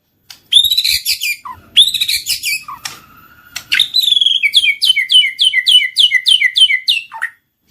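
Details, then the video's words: White-rumped shama, murai batu, song used to provoke singing and mating: loud buzzy high phrases, then a rapid run of about a dozen repeated clipped whistles, ending in a falling note. "PANCINGAN BURUNG MURAI BATU MACET BUNYI SEKALI PUTAR LANGSUNG NYAUT BUNYI AMPUH BIKIN GACOR"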